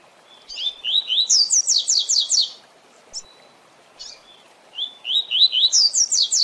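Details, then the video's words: Double-collared seedeater singing the Tui Tui Zel Zel song style, used to train captive birds: a run of rising slurred whistles followed by a fast, buzzy series of high descending notes, repeated twice. "Tui Tui Zel Zel Canto Para Treinamento e Encarte de Coleiros e Papa capim!!!"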